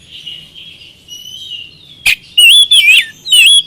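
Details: Oriental magpie-robin lure song: soft, wavering whistles at first, then a sharp click and loud bursts of rich twisting whistled notes.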